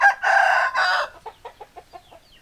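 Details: Rooster crowing: a loud, harsh two-part crow lasting about a second, followed by a run of short, fading clucks spaced roughly every fifth of a second.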